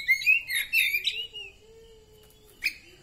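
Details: After therapy, a kacer poci (Oriental magpie-robin) delivers rich warbled whistles in quick succession, then a low steady tone hangs in the background before a single sharp chip near the end.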